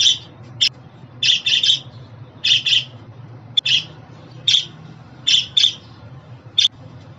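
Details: Pet budgerigar giving short, bright, buzzy chirps in loose clusters, some doubled or tripled, with brief pauses between bursts over a faint low hum.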